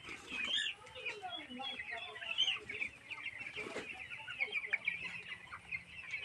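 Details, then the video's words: Farm-raised chicks eighteen days old, giving dense, overlapping high peeps and chirps that run continuously through the recording, many birds calling at once with no pauses. "chicken farming // 18 days chick"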